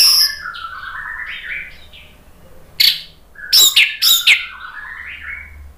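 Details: An orange-headed thrush sings a varied, rich, loud and continuous song of sliding whistles and warbled phrases, broken by a few sharp, loud chips near the end.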